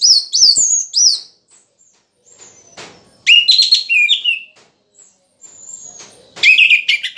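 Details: An orange-headed thrush (anis merah) sings loud, varied phrases of rising whistles and buzzy notes in three bursts separated by short pauses; the bird is still moulting but already singing freely.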